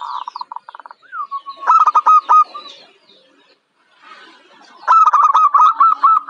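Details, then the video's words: Young local zebra dove, described as bold for contests. Quick soft pulses and a sliding note lead into loud staccato phrases. A quiet gap follows before another loud run of notes. "Suara Perkutut Lokal,Muda dan berani diadu"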